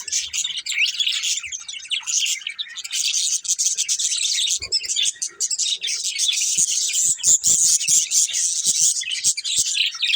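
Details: Steady, dense chatter of a colourful budgerigar breeding pair, scratchy high chirps and warbles running continuously, plus scattered light clicks and taps.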